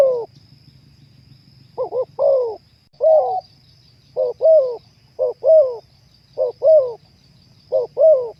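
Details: Spotted dove cooing: soft low hooted phrases of a short note followed by a longer one, repeated about every second and a half, over a faint steady high whine.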